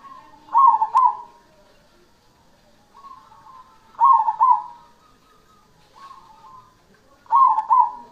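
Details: Black cemani zebra dove in full song, giving three phrases about three and a half seconds apart. Each opens with a quiet murmured coo and swells into a loud, rolling, two-part cooing burst, against a silent background.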